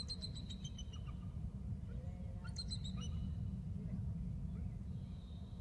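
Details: Male bald eagle at the nest with eggs, trilling while his mate arrives for the nest exchange; rapid high staccato notes descend in a quick chatter, a second brief burst follows, and a faint thin tone comes later, over constant low rumble.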